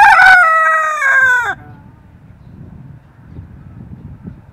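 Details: Silkie chicken, first thought to be a hen but apparently a rooster, crowing: one loud harmonic-rich cock-a-doodle-doo of about one and a half seconds, falling at the end, followed by quiet low rustling and background noise.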